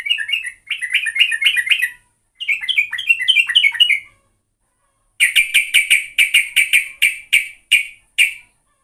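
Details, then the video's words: Sooty-headed bulbul used as a lure: two bursts of warbled chatter, then a string of sharp, evenly spaced chip notes, about two per second, with clean pauses between them. "Pancingan burung trucuk"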